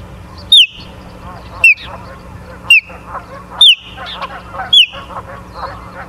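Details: Osprey at a nest in Charlo, Montana, recorded by a live nest camera on 24 August 2023 at 17:43: five loud, sharp whistled calls with falling tails, about one per second, over a soft chatter of other birds.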